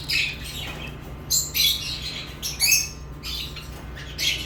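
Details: Lovebirds chirping in short, piercing, noisy bursts, a few clipped whistled notes among them, spaced by quiet moments and a faint background hum.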